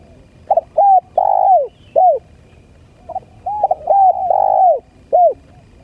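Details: Spotted dove calling, used as a lure for birds: loud, hoarse cooing notes, short arched coos and longer drawn-out ones, in two grouped series separated by a pause.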